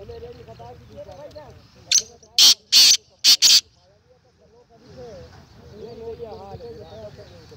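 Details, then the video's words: Black francolin (kala teetar), recorded 19 April 2020: a loud, harsh, rasping call of five bursts, a short opening note followed by two longer grating notes and two quicker ones, with murmuring voices before and after. "kala teetar Awaz"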